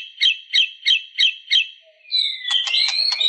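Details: White-rumped shama uttering five evenly spaced chirping notes, then a rising whistle mixed with rapid clicks.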